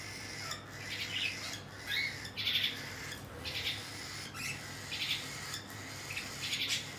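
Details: Cockatiel parents feed their chicks. The chicks make short, wheezy, hissing begging bursts that repeat roughly every half second to second, with brief quiet gaps between them and a low background hum.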